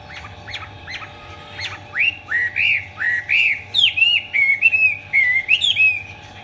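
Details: Chinese hwamei in full 'hót xòe' song, wings spread eagle-style: a few short sharp chips, then a string of loud rising slurred whistles roughly twice a second, turning into quicker warbled phrases at the end.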